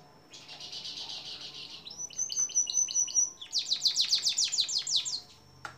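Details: Canary song as a long-duration training recording for songbirds: a buzzy rapid trill, then a pure whistled series of repeated notes, then a loud run of fast downward-sweeping notes.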